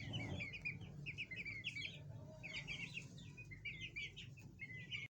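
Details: Chukar partridge (chakor) family with chicks: rapid bursts of high, slurred chirps in quick clusters from several birds, with brief gaps and a low constant hum beneath.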